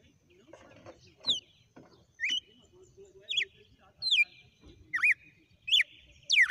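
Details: Red-cowled cardinal in a song sequence: strong whistled notes, some swooping downward and others curling up, repeated about once per second, with a few softer clicks and a quiet low rumble between phrases.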